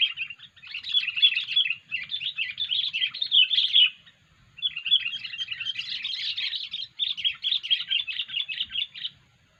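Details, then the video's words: Sooty-headed bulbul giving its unusual 'poin' call, used to lure birds: two long runs of busy, scratchy chattering separated by a brief pause, each several seconds long. "poin kutilang suara aneh"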